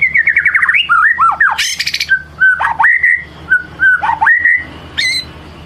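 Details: White-rumped shama singing in the ngelemak style, used as a lure to draw out another bird's song: loud, varied whistled phrases with rapid warbling trills, falling and rising slurs, a harsh squawk burst, over a constant low electrical hum.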